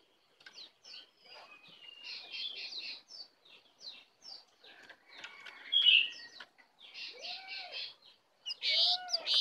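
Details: Oriental magpie-robin, a wild bird arriving to attack, sings a varied run of quick chirps and trills with rich whistled phrases and loud ringing notes near the end, pausing briefly between phrases.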